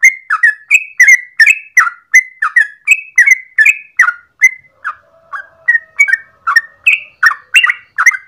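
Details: Long, rapid morning song of a yellow-vented bulbul used to lure or train other birds: a quick run of bubbly notes, a softer lower stretch around five seconds, then the lively chattering phrases return.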